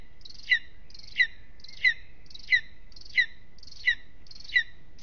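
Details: Lesser spotted eagle at its nest in Aizkuja, Latvia, on a restless evening: sharp, high notes that slide downward, repeated evenly about every two-thirds of a second, seven times, over a faint steady tone and quiet background.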